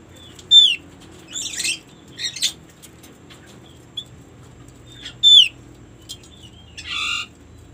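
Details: White-eye known locally as opyor, played to coax others of its kind to sing: two sharp, high, descending whistled notes, mixed with harsh buzzy chatter, over a low steady hum.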